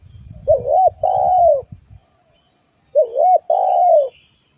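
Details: Spotted dove heard for luring and tutoring birds. Two deep cooing phrases, each a looping two-part note and then a long sustained coo easing downward. Low rumbling noise sits under the first phrase, then quiet.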